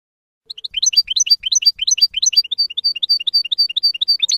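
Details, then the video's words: Rapid continuous European goldfinch twittering for training young birds, dense high chirps repeated several times a second throughout, with faint low thumps early on. "CD JILGUERO F.O.C.S.E 30min para educar a jilgueros noveles. Chardonneret Goldfinch"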